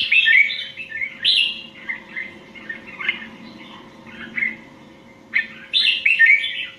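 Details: Red-whiskered bulbul of Indian stock in competition song, with scattered short whistled and slurred notes that grow quieter mid-clip before a louder burst of warbled phrases at the end.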